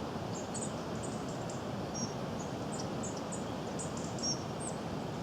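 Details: A Goldcrest, close up, gives very high, thin, short notes in quick clusters over steady broadband rushing noise like wind or distant traffic; recorded in Cornwall on 20 January 2016.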